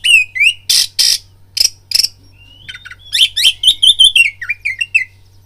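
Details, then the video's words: Oriental magpie-robin fighting lure song: a few rasping harsh notes open, then a rapid cascade of clear whistled and slurred notes, varied and loud, ending in falling twitters. "BIRAHI TARUNG KACERMU NAIK DENGAR PANCINGAN KACER INI BUNYI"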